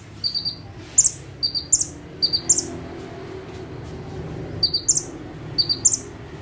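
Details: Bar-winged prinia, locally called ciblek or prenjak tebu, singing vigorously in full bursts while sitting still on one perch; high, sharp chirped notes in quick clusters of two to four, repeated several times with short pauses, over a low steady hum.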